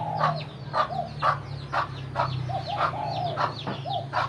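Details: Rapid low clucks, about two per second, as a mother hen calls her chicks to food; high falling chick peeps and a steady low droning hum run beneath.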